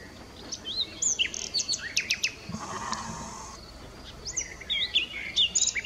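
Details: Nightingale singing outdoors: high, sweet whistled phrases, quick slurred notes and a few rapid vertical ticks, over a steady hiss of background noise.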